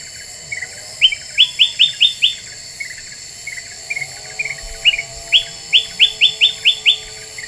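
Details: Black-winged bulbul in a lure recording said to rile other birds: clipped, upward-flicking chirps delivered in rapid runs of four to six, separated by softer, lower notes and brief gaps.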